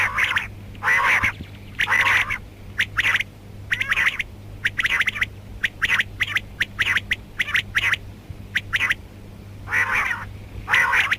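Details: Calling female rain quail in a karkari mix: rapid series of short, rasping squawks, some clipped and some longer and harmonically rich, coming almost every second, with a constant low hum beneath.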